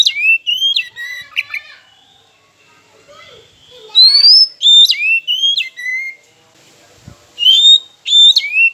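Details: Oriental magpie-robin song used as a lure to provoke silent rival birds into singing: loud whistled phrases of long sliding notes falling and rising, with sharp clicks, in bursts separated by quiet gaps with faint background chatter.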